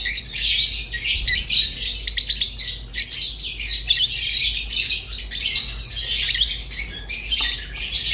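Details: Budgerigar song of fast, continuous warbling chatter, bursts of rapid ticking notes between longer scratchy phrases, and a faint low hum in the background.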